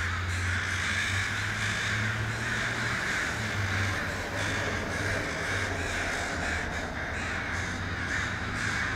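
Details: Flock of crows gathering in a tree in Vancouver, Canada, captured on an iPhone 5S; loud overlapping caws from many birds, some standing out in short bursts, over a persistent low engine drone.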